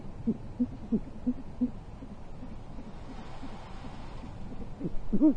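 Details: At a nest camera in Corona, California, a pair of great horned owls pass prey at 12:56 pm on 14 January 2023; a handful of quick, deep hooting notes open the recording, then a pause, then a louder, longer hoot at the end.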